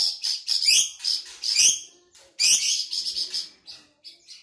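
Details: Insect-eating flamboyan bird from Sumatra in full song: clusters of shrill twittering chirps and upward-sweeping notes, pausing briefly midway before another energetic run.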